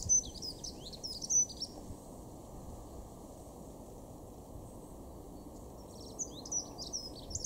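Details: A dunnock (Prunella modularis) in a garden in Weener, East Frisia, northwest Germany, in March 2023 gives two brief, high, fast jingling warbles, one at the start and one near the end, over a steady low rumble.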